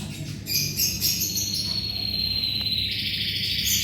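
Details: Canary singing vigorously, kept as tutor song for white-rumped shamas: long steady high whistled notes held in layers, with brief chirps at the start and a continuous low hum underneath.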